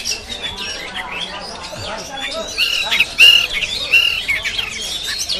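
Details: White-rumped shama (kacer) singing at a practice bird contest in Sambas, recorded on an action camera: a varied, high, rapid run of chirps, squawky notes and short pure whistles, with other birds overlapping and faint voices.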